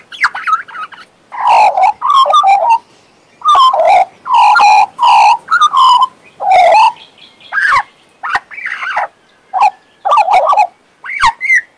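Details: Long bout of song from a pet male Western Australian magpie, warbling and whistling with many loud, rich, fluting notes in bursts, broken by short gaps and a few sharp clicks and thin high whistles.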